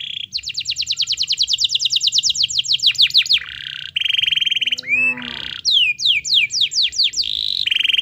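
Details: Lively canary song played to coax a reluctant bird into singing: long runs of rapid repeated high notes, downward-sweeping whistles, steady whistled tones and a short rising slurred phrase, loud and continuous throughout.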